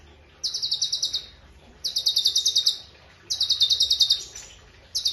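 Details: Master-bird song of a cucak cungkok in quick-fire style: short dense trills of rapid, sharp, high notes, repeated roughly every one and a half seconds with quiet gaps between.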